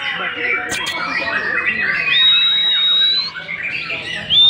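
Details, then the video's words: Captive young white-rumped shama, newly in song and selected for breeding, producing chatter, then a long, clear, steady high whistle that rises slightly before a brief pause and a renewed whistled note. "Mb *JEMBRANG* GACO BARU"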